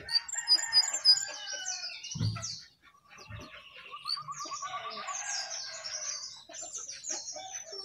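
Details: A jongkangan sings while perched on top of its cage, pouring out a busy stream of high, sharp chirps and short whistled notes, with a quick trilled run of repeated notes near the middle.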